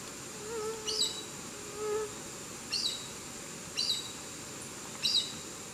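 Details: Chestnut-eared aracari at Santa María, Boyacá, Colombia: short, sharp high notes repeated roughly once a second, with a couple of lower drawn-out whistled notes early on, over a steady insect hiss.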